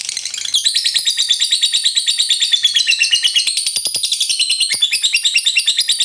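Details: Lovebird singing a long ngekek trill used to stir rival birds to sing, a dense shrill chattering run of rapid repeated notes that carries on without pause, with a few faint low knocks in the background.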